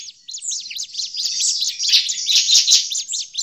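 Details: Bar-winged prinia, agitated, in a lure recording for forest trapping. Curved, high chirps come quickly at first, then thicken into a loud, busy chatter of overlapping twittering notes.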